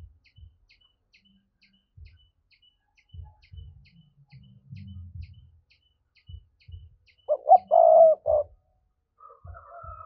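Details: Spotted dove giving a 'thúc' style coo, played as a lure to draw wild doves. Late in the clip comes one loud low coo: two short notes, then a longer held note, after quiet thumps and faint regular ticking.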